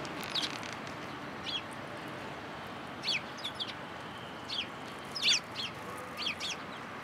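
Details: Several sparrows visiting a feeder in a plum tree at a Tenmangu shrine on 14 March 2023. Short, sharp chirps come singly and in quick pairs, scattered through the recording over a steady low background hum.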